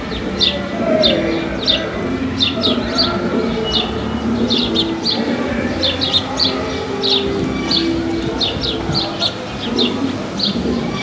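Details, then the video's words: House sparrows in the town of Paramirim, adapted to city life. Many crisp, high chirps pour out in an uneven, lively chatter over a continuous background drone of urban noise. "Pardal - Pássaro na Cidade"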